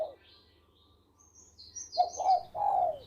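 A zebra dove gives soft, stuttering coos that rise and fall in quick, rolling notes. Thin high chirps from other small birds sound in the background.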